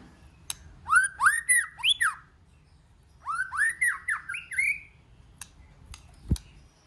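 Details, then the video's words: White-rumped shama (chòe lửa) singing to stir up other shamas: two bursts of five or six harsh, rising, upslurred notes, each burst about a second long and split by a short pause, then a few faint clicks. "Kích Chòe LửA HóT,chòe lửa hót nhiều giọng"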